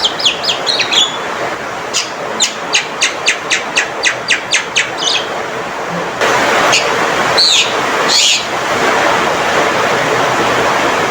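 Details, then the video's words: Male Javan myna producing a quick series of sharp clicking notes about once per second, later a couple of whistled slurs masked by loud broadband roaring noise. "Panggilan Suara Burung Jalak Kebo Jantan Gacor & Lantang"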